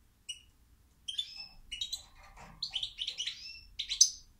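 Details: Rapid, continuous goldfinch song: a stream of tinkling, twittering and buzzy notes building in loudness over four seconds, with a soft faint murmur in the middle.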